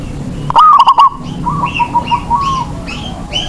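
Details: Local zebra dove sung as a lure for doves slow to sing; one loud burst of rapid coos followed by softer cooing, while small birds add repeated high, chirping notes.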